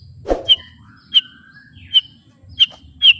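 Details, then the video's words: White-rumped shama (murai batu), described as a spirited fighter singing at full power. A sparse phrase of short high whistles repeated roughly every half second over faint background hum. "ISIAN MURAI BATU GANAS❗TEMBAKAN MURAI BATU BUKA PARUH VOLUME PENUH POWER💥 SHAMA BIRD"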